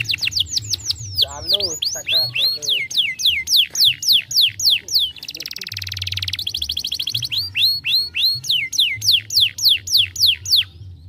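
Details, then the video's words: Stimulating song of a young canary: long run of repeated downward-sweeping whistles, a brief warbled passage, a rapid buzzy trill in the middle, then more rhythmic descending whistled notes, steady and loud. "estimula rapidamente o som de um jovem canário"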